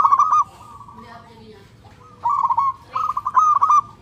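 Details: Loud, clear song of a local zebra dove calling for a companion: a short trilled coo, a pause, then two rapid rippling phrases of fast stuttering notes near the end.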